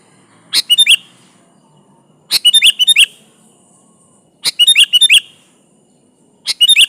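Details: Sooty-headed bulbul in full song, used as a lure to call a rival: short bubbly phrases of five or six quick liquid notes, each phrase about half a second long, repeated every two seconds against a quiet background.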